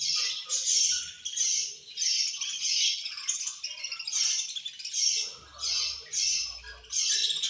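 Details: Eating budgerigars give angry chirps, a busy wash of high, rasping, chattering notes in rhythmic surges roughly every second, with light low thumps and rustles beneath.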